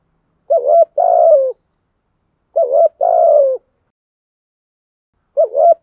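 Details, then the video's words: Spotted dove with a cooing voice of the 'thổ sấm' style, used in the rainy, windy season to spur wild doves to coo. Each phrase is a short wavering note, then a longer falling coo, repeated about every two and a half seconds against silence. "Chim cu gáy bài bản, giọng gáy hay kích bổi hiệu quả mùa mưa gió, giúp bổi xiêng gáy"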